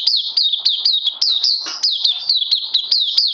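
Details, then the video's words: Captive oriental white-eye on its second day of health supplements, recorded 31 May 2020, singing a fast run of high, sharply down-slurred chirping notes, about four per second, steady and loud throughout. "Puteh Crazy LG"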